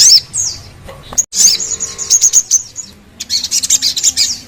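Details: Crimson sunbird (sogon) song used to encourage singing: high twittering bursts, a short silence, then a run of sharp repeated chirps and a rapid trill, with a low steady hum beneath.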